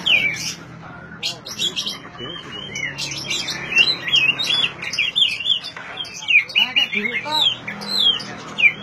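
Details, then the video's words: Oriental magpie-robin song, played to prompt silent magpie-robins into singing. Rich, fast, varied whistled and chattering phrases with sliding notes, delivered almost continuously, over a faint low hum. "suara asli kacer untuk memancing kacer macet bunyi"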